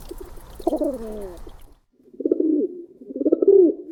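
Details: Rolling, muffled pigeon coos making up the flock's group call, a wavering throaty note, a pause, then two more rumbling coos rising and falling in pitch.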